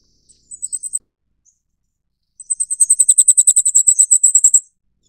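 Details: Flamecrest, a Taiwan endemic of middle and high altitudes, first a brief high run of five notes, then after a pause a longer thin, very high trill of some twenty rapid notes.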